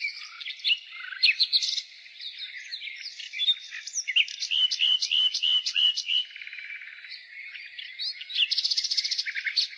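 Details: A nightingale's spring song: varied liquid notes, a series of evenly repeated sharp chirps, and a closing buzzy trill. A busy chorus of other small birds continues throughout.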